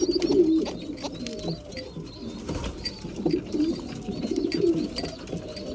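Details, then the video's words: Several breeding pigeons at feeding time give soft, throaty coos in bursts, quieter in the middle, with occasional high thin squeaks and tapping sounds. "Breeding pigeons / mealtime"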